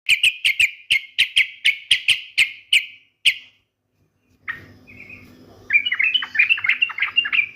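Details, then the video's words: Yellow-vented bulbul singing: a run of about eleven sharp, evenly spaced chirps, then a brief pause and a quick, warbling burst of varied bubbly notes, with a faint low hum behind. "TRUCUKAN JUGA GAK MAU KALAH BERDENDANG"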